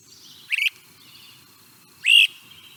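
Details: Great Crested Flycatcher, a cavity-nesting eastern flycatcher, song of sweeping whistles with low burry vibrato: two loud, rising, burry whistles, each about a quarter second, a second and a half apart, over faint hiss.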